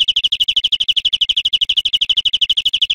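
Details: Greenfinch song recorded for teaching cage birds: an unbroken three-second run of rapid, repeated high chirps, roughly ten per second, steady in pitch and loudness.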